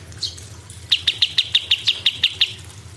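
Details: Cucak cungkok giving a 'tembakan' burst: after a brief lone note, a tight run of ten sharp, high, clipped notes spaced about six per second, then quiet, over a soft low hum.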